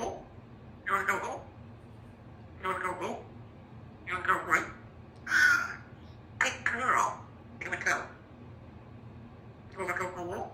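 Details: Female Congo African Grey parrot chick, hatched June 2021, a household pet rehearsing words such as 'apple'; a series of about eight rough, word-like utterances spaced a second or so apart, quiet room tone between them.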